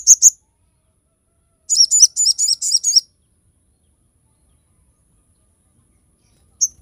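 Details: Crested jay giving sharp, high shots, used as tutor and lure audio for other crested jays: a quick double chip, a pause, then a buzzy rattled series of about six notes and one final clear chip.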